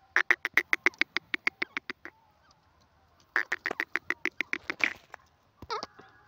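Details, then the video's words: A francolin gives two rapid runs of harsh, nasal clucking notes, about eight a second, each lasting roughly two seconds, followed by a single rough note. "teetar ki awaaz"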